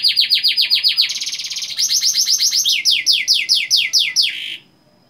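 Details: Loud canary song used as a lure for young canaries, with long rolls: fast repeated downslurred notes, a rapid trill, then more sweeping notes, ending abruptly.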